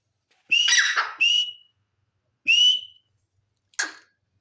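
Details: Partridge giving loud, clear whistled notes, each rising and then trailing away, spaced by roughly a second of silence and ending with a brief harsh note.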